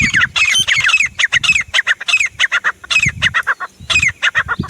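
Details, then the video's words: Desi teetar, the grey francolin, in a dense burst of loud grating notes, each sliding downward and crowding into rapid overlapping runs over faint low rumble. "Desi teetar // sounds teetar awaaz"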